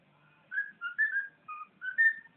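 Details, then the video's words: A pet bird whistles five or six pure, clear notes that alternate slightly higher and lower in pitch, each about a fifth of a second long, over a soft low background hum. "bird whistling"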